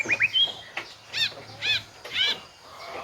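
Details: White-rumped shama song: quick whistled upslurs followed by three evenly spaced arched, ringing notes about half a second apart.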